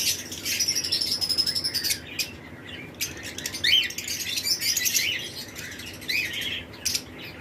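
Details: Lovebird pairs of several mutations chirp in a flight cage in breeding season: a long high whistled note over rapid ticking chirps, then scattered squeaks and chatter.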